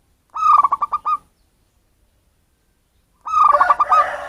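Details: Zebra dove of wild local stock, not bred in captivity, heard in a recording meant to attract birds. Two rhythmic phrases of fast, bubbling coo notes, about three seconds apart.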